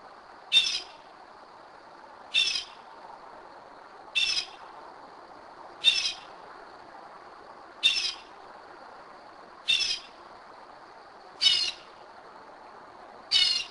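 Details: Northern mockingbird at 2am in Kennesaw, Georgia, repeating a short scratchy, high squawk roughly every two seconds, eight times, with little else heard.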